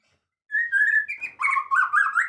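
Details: White-rumped shama isian song: a clear sustained whistle glides slightly downward, then quick jumbled whistled notes follow in short rising and falling bursts, loud and close.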